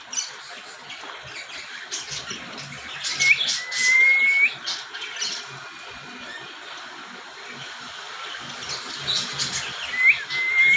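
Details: Cockatiel birds calling with harsh, noisy squawks and chatter, broken by a few short, rising whistled notes, while a faint low hum runs underneath.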